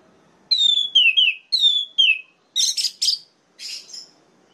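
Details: Orange-headed thrush song used to provoke other males: clear descending whistled phrases in pairs, then higher buzzy, scratchy notes, with a softer phrase at the end and short gaps between.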